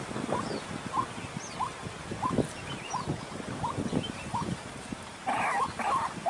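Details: White-breasted waterhen (ruak-ruak) call used as a lure to trap birds: short rising notes repeated about every 0.6 seconds, with a louder cluster near the end, over strong wind and rustling noise.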